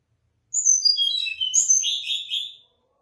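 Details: Mangrove blue flycatcher: a thin, high whistled phrase slides down in steps, then a fresh flourish ending in buzzy, lower notes, about two seconds long in quiet surroundings.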